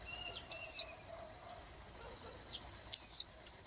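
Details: Two short, high, thin whistles sliding downward, about 2.5 seconds apart, from a Swinhoe's white-eye, with a constant high buzzing background.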